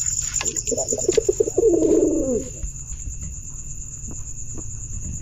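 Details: Low, warbling pigeon coo lasting about two seconds with quick wavering pulses, followed by quieter background with faint clicks and a steady high electronic whine.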